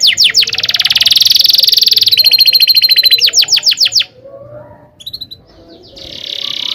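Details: Canary tutor song with a rolling trill: quick falling notes lead into a long rapid buzzy roll, a shift to a lower trill, a burst of sharp notes, then quieter chirps and a soft rising trill.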